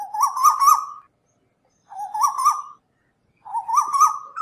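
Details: Asian koel calls from a night-time lure file: three wavering whistled phrases, each about a second long and climbing slightly in steps, separated by pauses of nearly a second.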